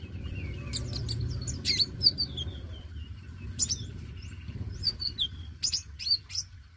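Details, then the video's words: Singing dacok-type oriental magpie-robin, used to stimulate newly caught young birds. Sharp high chips and whistled descending slides come in irregular bursts over a rumbling low noise that eases partway through. "KONIN DACOK GACOR PENARIK BUNYI KONIN BAKALAN"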